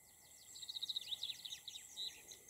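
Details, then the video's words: Meadow pipit giving a string of high, thin, rapidly repeated notes mixed with falling slurred notes, ending in a slightly louder high note, against a constant background hiss. "Конёк луговой."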